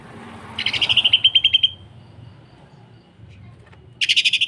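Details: Greater green leafbird, a captive tutor bird in full song, delivering a rapid string of about ten sharp high pulses over a second, then a short quiet gap and another fast rattling burst.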